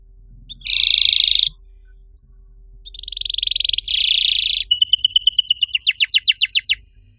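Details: Canary master song meant to stimulate other canaries that have stopped singing; loud high buzzy rolls broken by short gaps, then rapid trills of sweeping repeated notes.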